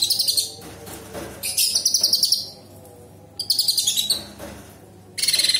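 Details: Sooty-headed bulbul (Pycnonotus aurigaster) in lively song, giving four loud bouts of rapid, bright, high chattering phrases separated by short pauses, over a faint low hum; the song is described as including imitations of small birds, large birds and insects.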